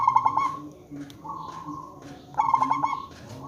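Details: Local zebra dove serving as a lure for wild zebra doves to call back: two bursts of rapid trilled coos with a level tone between them, faint clicks and murmuring in the background.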